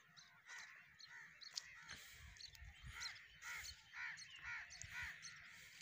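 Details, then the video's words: At a crow roost, separate harsh caws rise out of a noisy background chatter, coming in quick uneven bursts during the second half. "Crow black bird roost shrill"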